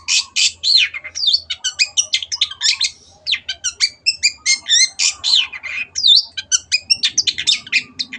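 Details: Long-tailed shrike in continuous, fiery song used to train caged birds: a rapid, varied medley of harsh chatter, pure whistled slides and clicking notes, almost without pauses.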